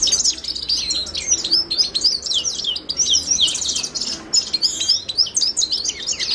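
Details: Continuous Himalayan goldfinch song (Carduelis caniceps): high, densely packed twittering and tinkling notes with quick slurs, running almost unbroken throughout.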